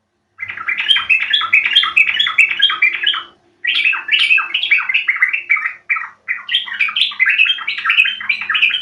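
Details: Yellow-vented Bulbul (trucuk) lure call, used to prompt birds to sing: loud, fast, bubbly chattering phrases in three long bursts separated by brief pauses, with a faint low hum underneath.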